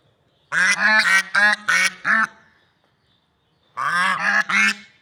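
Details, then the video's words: Swans in nature: a rapid burst of five brassy honks, a silent gap of over a second, then three more honks in quick succession. "Funny Sounds and Noises of Lovebird Swans in Nature"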